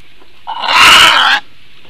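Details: In Latvia on the morning of 7 May 2022 at 9:25 AM, a female Eurasian bittern responds to an unidentified aerial threat with one harsh, grating, broadband call lasting close to a second that swells quickly and cuts off abruptly.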